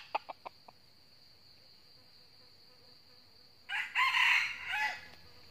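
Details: Red junglefowl in northern Vietnam, lured by a trapped decoy, giving a fighting crow; a few sharp clucks first, then after a pause a raspy, drawn-out crow of about one and a half seconds, with steady insect buzzing.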